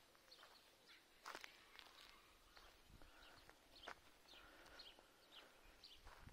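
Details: Greylag goose goslings, recently hatched and watched over by adults, on their way to the water at Lake Neusiedl; scattered high peeping notes, some sliding, mixed with sharp clicks and shuffling sounds.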